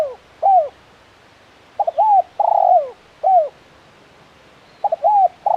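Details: Spotted dove calling in the 'kuk 1' style: falling coos, then a phrase of two quick notes, an arched coo, a long buzzy coo and a drooping coo, starting again just before the end.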